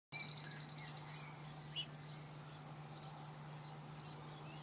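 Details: Cirl bunting singing in France: a fast, dry, evenly pulsed trill of about a second that opens the recording, followed by scattered short chirps of other birds over a steady high insect-like drone and a low hum.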